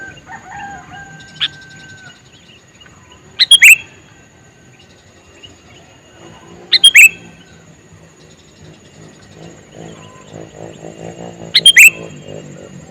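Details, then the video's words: Male sooty-headed bulbul calling: three short, loud bursts of sharp notes spaced a few seconds apart, separated by quiet stretches with faint distant bird notes and low background rumble. "Suara Burung Kutilang Jantan MeManggil"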